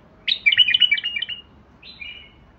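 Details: A single animated phrase from a White-eared Bulbul: a quick string of bright, jerky whistled notes lasting about a second, then a faint, drawn-out descending whistle.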